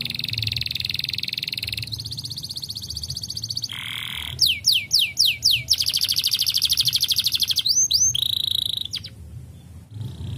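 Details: Canary singing, its song meant to encourage other canaries to sing again: fast repeated trills, rapid rising sweeps and a long buzzy rolling trill, all high and bright, with a brief quieter pause and faint low background hum.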